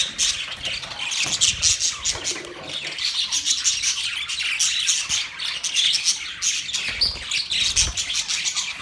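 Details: Budgerigars recorded on November 19, 2023, a dense, continuous chatter of high, scratchy chirps and squawks from several birds overlapping without pause, with a few sharper whistled notes standing out near the end.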